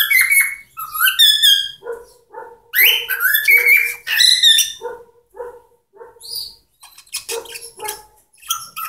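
A cockatiel sings a rambling run of bright whistles, chirps and raspy warbles.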